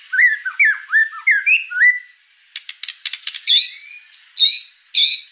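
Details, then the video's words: White-rumped shama, a juvenile (murai batu trotol) training recording meant to make young birds sing; varied whistled phrases dipping and rising, then a burst of rapid clicks and loud sharp downslurred notes. "MASTERAN MURAI BATU TROTOL 100% DIJAMIN AMPUH BIKIN MURAI TROTOL CEPAT GACOR"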